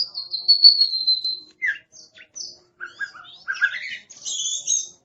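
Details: Oriental magpie-robin described as aggressive, singing a long clear high whistle followed by varied short chattering notes, warbles and sweeping phrases with brief gaps.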